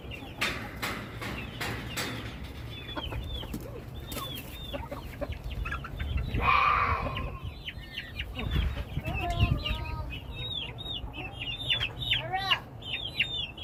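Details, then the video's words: Chickens of a backyard flock calling: many quick, repeated clucks and short rising and falling cackles from several birds, overlapping throughout, with a louder squawk near the middle and a man's voice briefly at the start. "Beautiful sounds of our flock !!"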